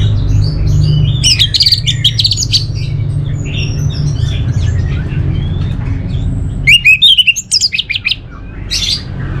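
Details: An orange-headed thrush sings intermittent high chattering phrases, then a loud rapid cluster of sharp twisting notes near the end, all over a heavy low rumbling background.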